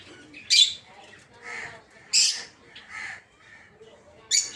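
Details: Rosy-faced lovebirds, known as peach-faced lovebirds, in a breeding aviary; three loud harsh screeches about every 1.8 seconds, with softer chirps between them.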